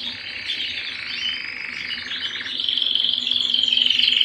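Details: Canary singing indoors at home, a dense continuous rolling trill that grows louder and more whistled toward the end.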